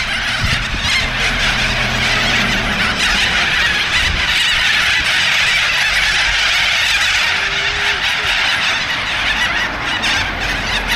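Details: A noisy group of corellas in suburban Australia, interrupting filming outdoors; a dense, continuous wall of harsh screeching calls fills the whole clip, with faint voices and some low rumble beneath.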